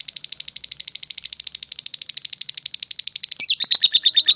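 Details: Rapid ngetik chatter from a lovebird: soft, evenly spaced high ticks about three per second, then a sudden louder burst of sharper, slurred chirps in the last second.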